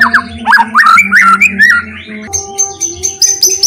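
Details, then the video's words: White-rumped shama song played so other shamas start singing: quick series of rich looping whistles, then a pause and thin high sustained notes with clicks, over a constant low drone. "PANCINGAN MURAI BATU ...KURANG GACOR,,!!,, PASTI NYAUT IKUTAN GACOR"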